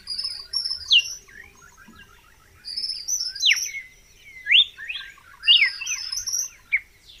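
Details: Red-cowled cardinal song in a clean, effect-free recording: loud sweeping whistles in clusters separated by short gaps, over a background of high chirps and soft steady ticking from other birds.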